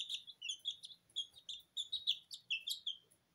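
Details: Sablepoot bantam chicks, Porcelain and Lemon, two weeks old, chirp indoors while dust-bathing in their feed. Quick, high, slightly rising peeps come in closely packed runs, several birds overlapping.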